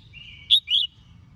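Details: Female red-whiskered bulbul singing to provoke males: a faint level whistle leads into two short bright slurred notes, the second longer and gently falling, low hum beneath.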